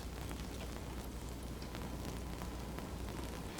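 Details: Dense rumbling noise like heavy rain or a running engine fills every moment, and no animal can be heard.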